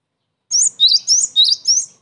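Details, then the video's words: Sharp, high chirps from a gelatik batu, or Cinereous tit, used as a trapping lure: five quick linked phrases, each a high note run into a rising whistle, in about one and a half seconds. "SUARA GELATIK BATU PIKAT AMPUH BUAT PANCINGAN DAN MASTERAN"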